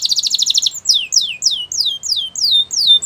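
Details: Training song of a canary: a quick pulsing high trill followed by a series of looping, downslurred whistles repeated about every quarter second.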